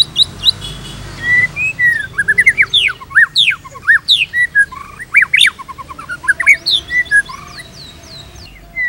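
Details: White-rumped shama tutor song for training shamas: a rich, fast medley of whistled slurs, sweeps and chips in varied phrases, loud throughout, with softer high notes at the end.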